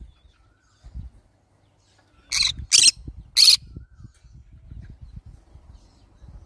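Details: A pet green-cheeked conure lets out three scratchy screeches in quick succession over a background of low knocking and handling noise.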